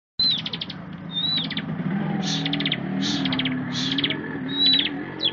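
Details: Bar-winged prinia singing: short phrases of a thin whistled slide leading into a fast, dry buzzy trill, given in quick succession for several seconds over a steady low hum.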